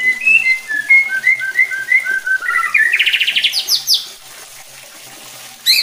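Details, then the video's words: White-rumped shama singing to provoke other shamas into aggressive song: a run of short clear whistles, then a fast rising buzzy trill, a few high notes and a sharp final burst. "bikin MURAI BATU LAIN JADI GACOR EMOSI"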